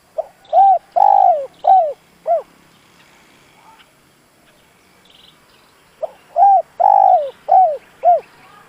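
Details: Decoy spotted dove giving its provoking call used in luring wild doves: a five-note cooing phrase with one long drawn coo, a pause of several seconds with faint sounds, then the same phrase repeated.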